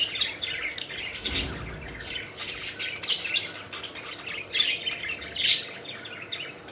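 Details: Budgies at play, fluttering and flying, with ongoing soft scratchy chirping and warbling, a few louder squeaky notes rising above a steady background hum.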